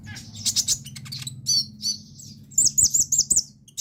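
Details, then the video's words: Sunbird singing as a lure for sunbirds that have stopped singing: high squeaky notes, then a quick run of five sharp rising-falling chirps, with a constant low hum beneath. "KONIN GACOR BUAT PANCINGAN TROTOLAN"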